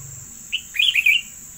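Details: Yellow decoy bird said to sing well: a short bright chirp followed by a quick twittering, warbled phrase lasting under a second, over a steady high background hiss.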